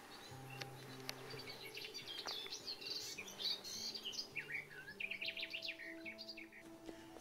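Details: Garden warbler singing in England in May, in spring woodland: a fast, rich, even-toned warbling song in one long sustained phrase, over soft background music with low held notes.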